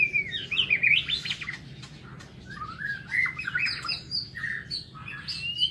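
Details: Morning song of a White-rumped shama kept in an aviary, fluid whistled phrases that swoop and twist, changing from one motif to the next, with some high thin notes near the end.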